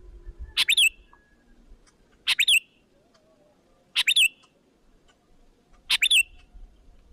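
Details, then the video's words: Sooty-headed bulbul calling to lure in other bulbuls: four clipped chirp phrases spaced about 1.7 seconds apart, each a sharp burst finishing in a short descending whistle, with faint low noise between. "Puluhan Bl langsung Berdatangan,Suara Pikat Gacor Memanggil"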